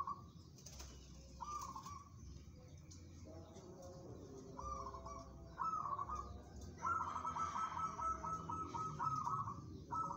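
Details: Local zebra dove, described as fit for competition: mid-pitched cooing notes start and stop, then a long, fast trilling coo holds steady for several seconds, against low background rumble and faint other bird calls.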